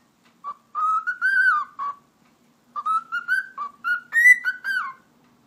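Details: Pet cockatiel indoors whistling a tune: two phrases of clear, slightly warbling notes around the same pitch, each rising gently then dropping, separated by a short pause. No other sounds.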